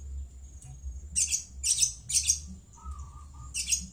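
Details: Madura long-tailed shrike giving short harsh rasping bursts repeated about every half second, a pause with a low steady tone, then one more grating burst.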